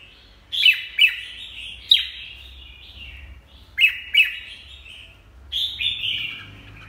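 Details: Red-whiskered bulbul with a peeling beak, producing paired sharp chirps that run into brief warbled trills. Each phrase lasts about a second, and a longer sliding whistle comes near the end.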